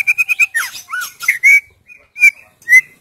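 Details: Singing female white-rumped shama, played to prompt silent males to sing: four quick whistled notes, then a slurred warble and separated clear whistles with brief pauses.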